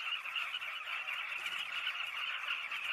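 A dense chorus of Southern carmine bee-eaters: many overlapping rolling, throaty calls, mid-pitched and unbroken, with no other sounds standing out.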